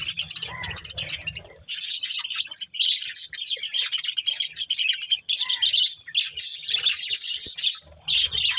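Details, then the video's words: Breeding pair of budgerigars, pet birds, chirping: dense, continuous high scratchy warbling and twittering with brief squawks, nearly unbroken for most of the stretch, with short pauses and faint low rumble at the start and end. "Beautiful Budgies Chirping Sounds | Love Birds Breeding Pair"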